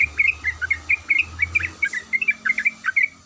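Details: Female sooty-headed bulbul in breeding condition calling the male: a rapid string of short, clear chirped notes, rising and falling, steadily repeated several times a second, with a faint low hum underneath.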